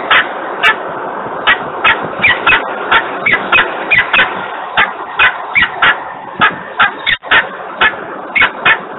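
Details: Peregrine falcon screaming in Włocławek, Poland, on 3 December 2020 at 10:36: harsh, clipped notes repeated about twice a second in an even series, each with a bright ringing overtone, and a few fainter overlapping calls in between.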